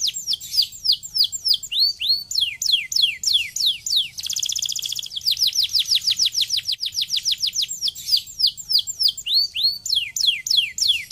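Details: Singing canary, played to prompt other canaries into song, delivering fast repeated descending whistled slurs interrupted midway by a dense buzzy trill, then returning to rhythmic sweeping notes; bright, high and unbroken.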